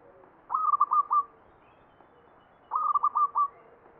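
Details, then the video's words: Zebra dove (perkutut) giving the Mataram Jogja ngepat song: two crisp whistled phrases, each opening with a high note and then a fast series of four or five bouncing coos, over quiet background. "SUARA PERKUTUT NGEPAT PAKEM MATARAM JOGJA"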